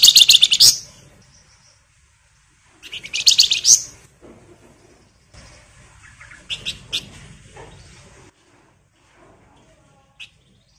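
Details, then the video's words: Lively flamboyan bird delivering rapid crackling chatter meant to spur other birds on: two loud, high, buzzy bursts a few seconds apart, then softer scattered chips and a faint background hiss. "PANCINGAN FLAMBOYAN GACOR NYIUL CRECETAN LAWAN IKUT NGEBREN"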